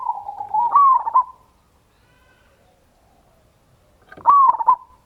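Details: Lure song of a local zebra dove meant to set other doves singing: a soft rolling coo trailing off, then after a long gap a fresh phrase starting with a clipped accented note.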